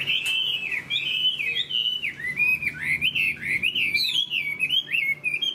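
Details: High-singing Chinese hwamei, caged and moulting, delivers clear loud whistled phrases, each slurring up and down in quick succession, with an unbroken flowing rhythm.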